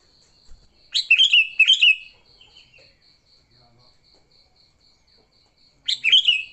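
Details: Sooty-headed bulbul singing aggressively, used as a lure for bulbuls: a burst of two rich, bubbly chirped phrases, a pause, then another similar phrase, over a persistent faint high tone.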